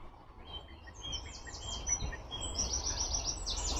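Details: A Eurasian wren, recorded during a walk in light rain, sings a fast, high-pitched outpouring of sharp notes and rattling trills over a steady low outdoor rumble.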